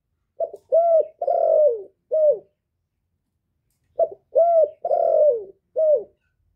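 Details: Decoy male spotted dove calling to draw wild birds in, clean recording: two identical phrases of four coos each, a short note, a rounded coo, a long falling hoarse coo and a clipped final coo, separated by a pause.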